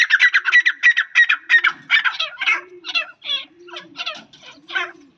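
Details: Female grey francolin (teetar), a kept bird, delivering a rapid series of loud, rasping notes, about three per second, which slow and loosen toward the end.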